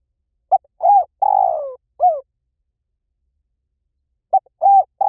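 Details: Spotted dove call used as a lure to attract wild doves: short clear hooting coos in quick groups, including one longer coo that slides downward, then a pause of about two seconds before the phrase starts again.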